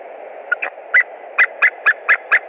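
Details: Male white-tailed eagle at a Latvian nest with eggs, 20 March 2021, around 10:28, calling a lot, possibly at a stranger eagle: rapid series of sharp yelping notes, about four per second, over low background rumble.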